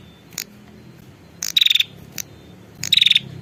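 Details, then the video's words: Lure call of a female prinia summoning the male: two short, dry, stuttering buzzes, each rapidly pulsed, with scattered high ticks and a soft low background hum. "suara pikat burung prenjak betina memanggil jantan"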